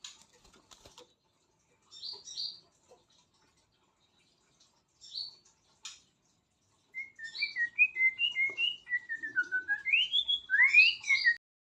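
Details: White-rumped shama singing. A few scattered high chips and pauses come first, then a sustained run of varied whistled phrases that rise and fall in pitch and end in sharp high notes.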